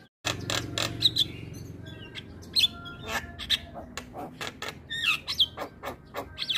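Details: Javan myna singing energetically with varied fills: sharp scratchy chatter and clicking notes mixed with high thin whistles and downward-slurred squeaks, uttered in rapid irregular bursts over a steady low background hum.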